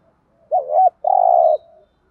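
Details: Decoy spotted dove calling to bring in wild doves. One two-part coo: a short, wobbling, rising and falling note, then a drawn-out buzzy hum, with a faint trailing murmur.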